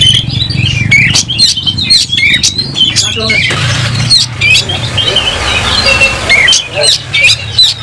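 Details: Oriental magpie-robin in full song, fighting with its tail spread and worked up: rapid harsh squawks, sharp clicks and whistled slurs in dense bursts, with background noise and faint voices.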